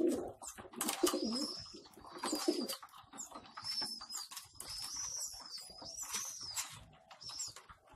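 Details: Homing pigeon squabs being fed in a loft give high thin rising and falling whistled squeaks, over low cooing at the start and busy rustling and tapping.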